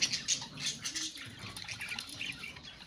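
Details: Budgerigars in a colony give quick high chirps and harsh little squawks, overlapping in a busy, steady chatter with a few sharper notes early on.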